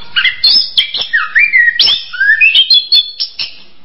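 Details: Orange-headed thrush whistling smooth rising and falling slurred notes, then a string of bright high piping notes in quick succession.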